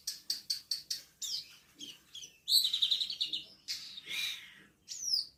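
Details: Black-winged myna in continuous song, recorded 10 March 2025: five evenly spaced clipped chirps, then a loud fast trilling chatter and scratchy notes ending in a shrill descending whistle.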